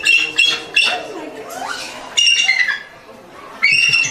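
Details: A real eagle calling: bursts of high, piercing chittering squeals, some sliding downward, separated by quieter gaps with a lower sweeping sound.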